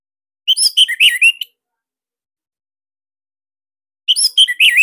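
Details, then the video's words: Caged Bali orange-headed thrush with loud, tight song, played as tutoring material for other birds: two dense phrases of quick wavering whistles and chirps, each about a second long, separated by near three seconds of silence. "Tembakan SIRTU GACOR Dan Isian Lain Cocok Buat MASTERAN Kicauan sobat di Rumah."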